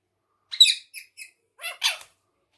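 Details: Pet ring-necked parakeet talking, said to speak Urdu and Hindi words: five short harsh squawky syllables in two groups, three quick notes then two, in a quiet room.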